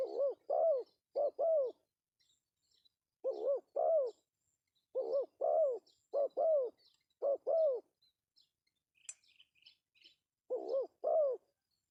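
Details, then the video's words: Male spotted dove, pesom call for luring. Double coos, short then longer and bowed, come in runs of two to three pairs with pauses between. A sharp click and a few soft high chirps sound midway. "suara panggilan Tekukur pesom Cocok untuk pancingan"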